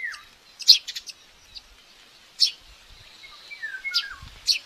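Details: Common buzzard chick at a nest in Tiszalök, Hungary, behaving aggressively during breakfast feeding on May 5, 2024, filmed by a live nest camera. Sharp, high, thin squeaks come in irregular bursts, with faint, lower, falling whistles between them.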